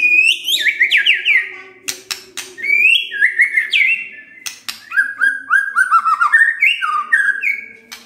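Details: Caged white-rumped shama singing a lively varied song: rich whistled phrases with rapid down-slurred notes and rising runs, interspersed with sharp clicks and chattering, a steady low hum beneath.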